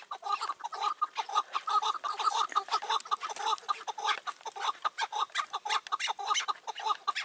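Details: Chukar partridge calling in May 2024 while wild partridges are lured toward a caged decoy on a trap: a steady stream of harsh, repeated chuk notes, about two per second, with a hoarse tone.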